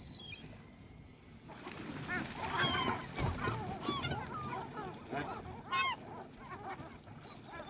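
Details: Several gulls calling together by the sea. Short, bent, yelping notes overlap in a busy chorus against steady surf-like rumble and hiss.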